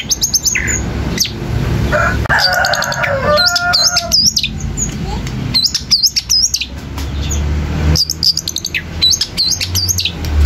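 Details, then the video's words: Song of a long-tailed shrike, used to make rival shrikes answer: bursts of high, hooked chirps and quick trills with a brief lower chattering passage, over steady low noise. "Berikan suara cendet ini di jamin cendet lain akan emosi dan ikut nyaut"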